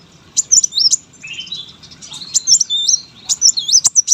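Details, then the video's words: Brown-throated sunbird kept as a competition bird, singing a vigorous master song: rapid, very high, sweeping whistled notes that loop up and down, delivered in dense twittering bursts with brief pauses between them. "KOLIBRI WULUNG GACOR POLL, SUARA MASTERAN BURUNG LOMBA. KOWUL GACOR"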